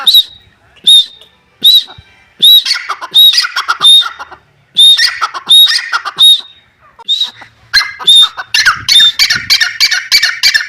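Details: Grey francolin (Dakhni teetar) calling loudly with sharp whistled notes and grating chatter. Single notes come first, then they bunch into quicker, denser runs toward the end.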